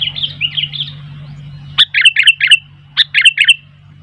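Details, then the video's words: Sooty-headed bulbul singing busily as wild bulbuls respond: soft warbled notes first, then two emphatic runs of crisp, bubbly chirps, about five notes each, over a low hum that drops away. "Burung kutilang gacor ..sampai kutilang liar jadi ramai"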